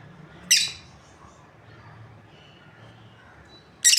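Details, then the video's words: Lovebirds from a breeding pair: one loud, rasping high chirp, then over three seconds of quiet hum before a second chirp cuts in at the end. "Amazing Lovebirds Chirping Sounds | breeding pair"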